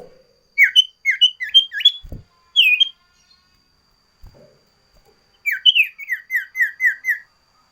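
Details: Sooty-headed bulbul singing a loud, varied song valued for tutoring common ioras and attracting wild birds: quick runs of short sharp whistled notes that sweep up and down, two series with a quiet gap holding faint knocks.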